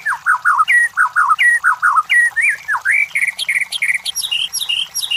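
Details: White-rumped shama song played as a lure to provoke competition birds, a long run of loud whistled phrases, first repeated falling double notes, then rising and climbing higher slurred whistles, delivered quickly and continuously.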